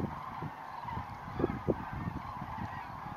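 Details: Common cranes leaving Lac du Der at dawn, 19 November 2016. A busy wash of distant honking calls from many birds, with two louder trumpeting notes standing out near the middle of the chorus.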